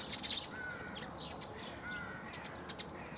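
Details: Tree sparrow at Bundek, Zagreb, Croatia, 9 March 2015: bursts of quick, rasping chirps at the start and end, with two drawn-out whistled notes from another bird in between.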